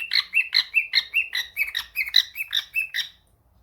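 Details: Cockatiel kept as a pet, answering a phone call, chatters in a steady train of bright, high chirps, about five per second for three seconds, some notes bending upward, then stops.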